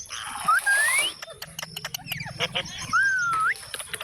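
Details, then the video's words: Parrot producing a clear rising whistle, then a smooth swooping whistled note, separated by short clicks and faint squeaks. "Parrot Sound Videos Compilation || Parrot Talking Videos"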